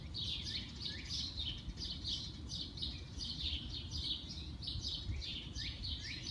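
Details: Bird singing early on a spring morning; a continuous stream of bright, high chirps and short downslurred notes, repeated several times a second, over a steady low rumble.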